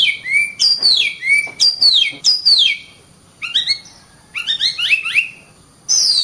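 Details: Oriental magpie-robin in vigorous song, giving clear descending whistles ending in short low upslurs, then a pause and a run of quick stepped rising notes, and a fresh high sweep at the end.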